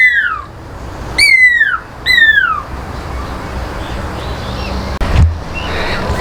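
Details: Captive pearl-spotted owlet at the enclosure edge in Montecasino Bird Gardens, Johannesburg, calling as if in welcome; three strong downward-sliding whistles in the first three seconds, then quiet murmur with a sharp knock and distant faint sounds.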